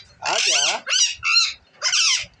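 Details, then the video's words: Talking parrot producing four harsh, voice-like squawked syllables, nasal and word-like, each about half a second long with brief pauses between them. "बतलाने🦜वाला तोता | Batlane Wala Tota | Spiking Parrot"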